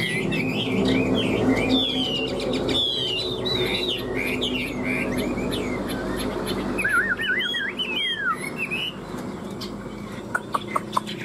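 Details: Dueling song of two caged Chinese hwamei, three years tame: varied looping whistles and clipped notes run continuously, with a fast quavering trill near the end and a low droning hum underneath; a few soft clicks close it.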